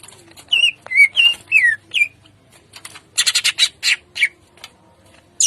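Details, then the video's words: Greater green leafbird in morning ngentrok jambul song with rough shots: clear downslurred whistles give way to a series of loud, scratchy pulsed bursts, then a final high sweeping whistle. "Pancingan Cucak Ijo Gacor Ngentrok Jambul 100% Efektif Tembakan Kasar Di Pagi Hari"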